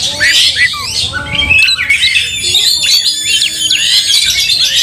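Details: Fighting Oriental magpie-robin in an angry display with its tail opened: a fast medley of clear whistled slurs, buzzy rasps and squeaky chips, with a short lull before a busier second half.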